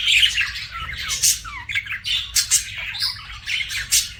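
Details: Pet budgie chirping in quick bursts, scratchy warbles mixed with short downward squeaks and sharp clicky notes, several loud pulses in a row, faint low hum behind.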